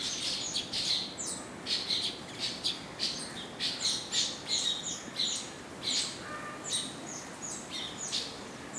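Indian silverbills give a steady stream of short, high, thin chirps, several a second, with a few slightly lower notes mixed in.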